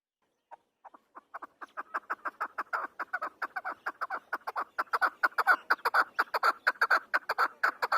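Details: Afghan chakor partridge building from a few soft, spaced chuck notes into a long, loud, regular series of harsh chucking calls, roughly two per second.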